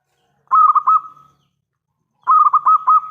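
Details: Local zebra dove singing with a big voice, used as a lure so other doves answer: two phrases of quick, bubbling, rolled coos on one steady pitch, each about a second long, separated by silence.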